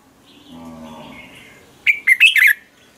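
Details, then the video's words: Red-whiskered bulbul in a morning training session: after a faint low hum, a single short phrase of four quick, bright chirped notes rising and falling. "Chào mào hót ché luyện giọng quá hay 2020, luyện chào mào hót sáng, cách luyện chào mào hót căng lửa"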